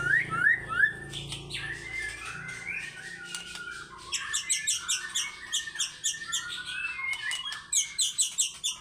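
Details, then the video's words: White-rumped shama singing fighter style: a few rising whistles open, then softer mixed notes and a long stretch of rapid clipped, rhythmic chips repeated several per second, with a low hum early on. "MURAI BATU GACOR FIGHTER BONGKAR ISIAN"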